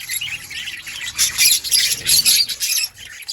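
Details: Budgies giving a quick run of high, shrill chirps and chattering squeaks, loudest in the middle, then fading to softer twitters.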